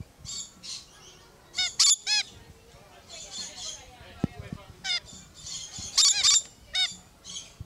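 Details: Two lorikeets at Lion Country Safari, Florida, appearing to fight or disagree: scratchy high screeches and harsh squawks in irregular clusters, some strident ringing notes, brief quieter chatter between outbursts.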